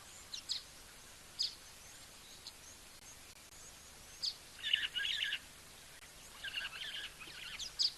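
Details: A starling at a waterhole favoured by small birds as a drinking spot, beside rocks, gives short high chirps and squeaky bursts with a denser chattering burst midway, over outdoor hiss; a cloudy day with possible rain, 3 March 2024.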